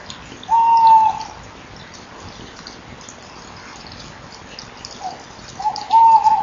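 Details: Tawny owl on a nest-box camera, 24 November 2012 at 19:29, calling while perched: two long, steady, mellow hoots about five seconds apart over a faint background hiss.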